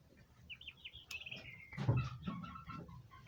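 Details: Turkey poults giving high-pitched chirps: a run of short descending whistles, then scattered piping notes over a low, throaty clucking rumble in the middle of the clip.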